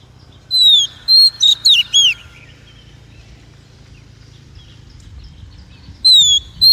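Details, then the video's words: Female Oriental magpie-robin, a call used to excite and train males and for trapping: a burst of sharp high whistles and slurred notes, a pause of about four seconds, then another clear whistled note. "Tiếng chim Chòe than mái kích bổi, luyện giọng bổi, bẫy chòe"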